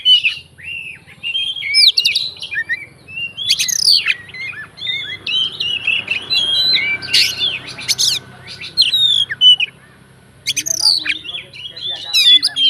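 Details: Oriental magpie-robin singing a fighter song rich in fill-in phrases that triggers other magpie-robins: varied whistled slurs and buzzy chatter in long strings, with a brief quiet gap near the end.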